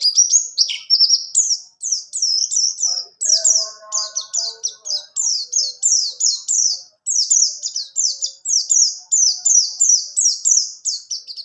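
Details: Buxtoni white-eye delivering a long rolling ngalas ngerol song for training other birds: an unbroken run of rapid, high, downward-sweeping chirps, roughly three each second, with one brief break.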